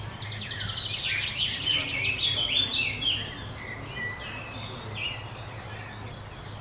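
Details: Eurasian blue tit at its nest in a campsite in the Brenne regional nature park, Centre region, France, early May 2016; a busy jumble of high chirps, trills and short rising and falling notes, with steady low hum beneath.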